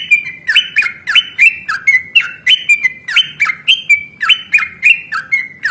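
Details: Yellow-vented bulbul in fighting mode, a recording meant as a lure to make other bulbuls answer: harsh, squawky chattering notes, each a short sliding burst, given in quick uneven succession about twice a second, with a quiet indoor background.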